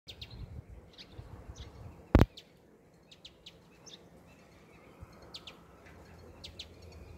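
Indian house sparrow giving brief, high chirps, loosely spaced, over a low background rumble with one sharp knock.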